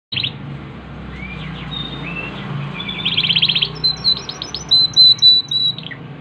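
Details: Yorkshire canary singing actively: a varied song of thin rising whistles and short slurred notes, building into a rapid buzzy trill, then bright sustained high whistles and clipped chips. A low background hum runs throughout.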